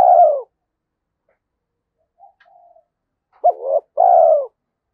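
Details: Spotted dove calling in the thổ-style Thúc Đấu voice used for forest trapping: the end of a falling coo, a soft faint murmur, then a full phrase of a short wavering hoot and a long falling coo.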